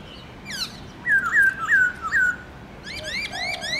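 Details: Morning song of a kept Chinese hwamei (Garrulax chinensis) in forest style with many voices: a run of four loud looping whistles, then fast repeated rising chirps and a low warble.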